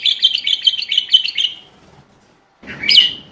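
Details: Bulbul song played to stimulate qafla bulbuls into singing. A fast, fluty warbled trill runs for about one and a half seconds, then a pause and a sharp, bright whistled note.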